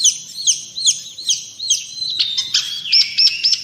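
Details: Long-tailed shrike (cendet or pentet) singing for training and provoking other birds: looping, high, slurred whistles, then harsh, buzzy bursts and a few clear, ringing notes.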